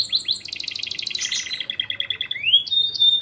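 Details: Fighting canary song used to train birds: mixed chattering notes, a run of rapid pulsed notes, then rising whistled slurs and a sharp piping tone.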